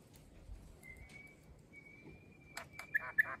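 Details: Grey shrike-thrush, one of an extended family visiting an Australian garden on a grey day, gives a long, pure whistle held steady for nearly two seconds, followed by a few sharp clicking notes.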